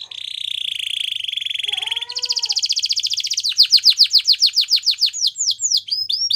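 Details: Gloster canary training song: a long, even buzzy trill, a brief lower warble, then a fast rhythmic trill that opens into loud down-swept whistled notes.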